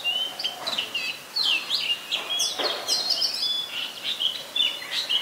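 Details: Singing Oriental magpie-robin, Ubon Ratchathani, Thailand, 3 February 2023, Nikon P1000 recording: sweet, high whistled notes alternating with sharp downward-slurred chips, delivered in a fast, continuous, varied stream.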